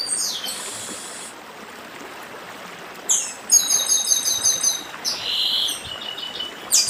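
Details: Northeastern chestnut-bellied seed finch singing with stream sounds: bursts of clear, high whistled phrases, some sliding downward, others fast repeated trills, separated by pauses filled with the soft rush of flowing water.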